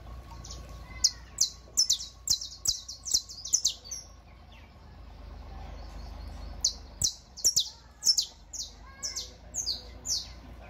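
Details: Saffron Finch (canario criollo) song meant for teaching other birds to sing: quick series of sharp, high, downslurred chips in rapid bursts, a pause, then another run of similar chips; faint low background rumble.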